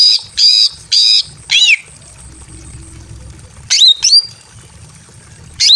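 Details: Female greater green leafbird in breeding condition calling a male from a simple aviary: loud high buzzy notes in short bursts, three quick ones then a pause, then more sharp descending notes, with a faint hum underneath.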